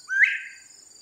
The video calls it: Bobwhite quail singing his song